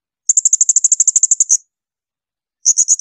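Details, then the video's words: Blue-crowned hanging parrot giving shrill bursts for tutoring songbirds: a fast run of about fifteen piercing high notes, a pause, then a shorter burst of four. "Masteran tembakan melengking serindit."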